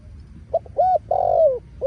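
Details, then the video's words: Spotted dove giving a short cooing phrase: a brief note, a steady hoot, then a longer drawn-out coo sliding downward at the end, over a quiet low hum. "Giọg này kích bổi gáy gù ầm ầm"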